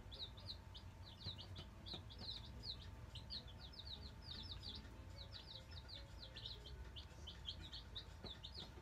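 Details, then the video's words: Black Australorp chicks, nine of them, just arrived and settling into a brooder; dense overlapping high-pitched peeping runs continuously throughout, backed by a constant low mechanical hum. "Black Australorp Chicks"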